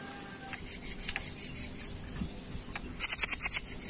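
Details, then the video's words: A grey-cheeked bulbul gives a string of high, thin chips, about seven a second, ending in a brighter, faster chattering burst over a soft background hiss. "Masteran jenggot mini enak"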